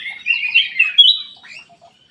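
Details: Golden-fronted leafbird song: a brief, clear run of warbled chattering notes around the upper-middle register, ending in a brighter rising whistle and a few soft trailing chips, with no other sounds.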